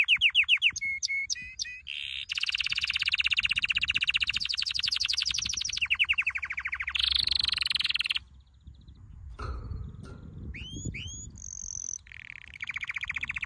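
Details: Singing canary in a training song: whistled notes and varied rolling trills, a short pause, then sharp rising whistles and a final fast trill.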